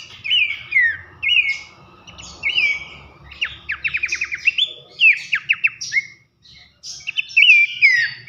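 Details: Masteran of a Horsfield's babbler (pelanduk semak) in loud 'nembak nyiul' style for training competition birds: swooping whistles mixed with fast trilled runs of short descending notes, over a faint low background hiss.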